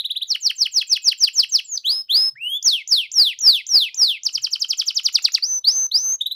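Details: Canary singing as a 'pancingan' to prompt quiet canaries: an opening rapid trill, then loud sweeping whistles at a slow beat, and another fast, bright trill with upslurred notes at the end.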